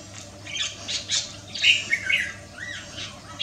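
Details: Red-whiskered bulbul singing on a Wednesday afternoon, 6 December 2023, in a song rendered as 'pit ja liw': scattered short chirpy and squawky notes, clustered around the middle, over a faint low hum.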